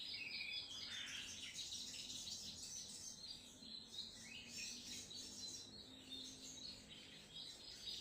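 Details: Sogon trotol pouring out a continuous, rapid twittering song, high and shrill, opening with a louder burst of quick chatter, over a soft low hum.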